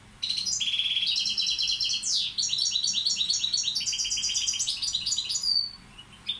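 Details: European goldfinch, balcanica subspecies, tutor bird: sustained loud song of tinkling twitters, buzzy repeated trills and a swift descending slur, the rapid notes running almost without pause for about five seconds before tailing off.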